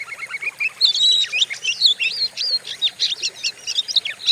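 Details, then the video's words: Oriental magpie-robin provoking song for bird training: soft lower chatter builds into loud, ringing whistles and rapid sharp chirps in a crowded, energetic phrase. "Pancingan burung Kacer; sadis dan ganas suaranya"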